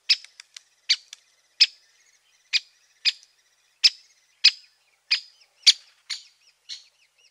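A great spotted woodpecker gives sharp, high 'kik' calls, about a dozen spaced roughly half a second apart, over a quiet background.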